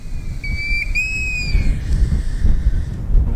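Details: A European golden plover, which breeds on UK hill moorland, gives a single sad, plaintive whistle, held about a second and sliding slightly downward at the end, over a heavy rumble of wind.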